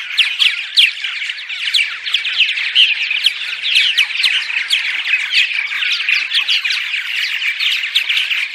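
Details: Dawn song of purple martins, sung before dawn to attract others to nest sites. A thick chorus of sharp chirps and raspy gurgles pours out without a break.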